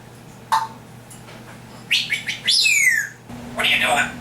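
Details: Captive African grey parrot mimicking sounds: a single sharp chirp, then a cluster of quick chirps and a bright downward whistle, ending in a harsh, speech-like squawk, all over faint steady indoor hum.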